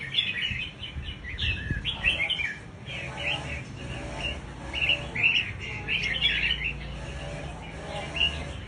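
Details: Scarlet-backed flowerpecker lure call: bursts of thin, high chirps and ticking notes clustered over the whole stretch, some slurred and trilled, with steady low rumble underneath.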